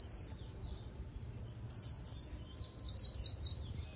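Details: Japanese white-eye trap-contest singing: a high twittered phrase, a pause, then several thin rising and falling warbles that run together near the end.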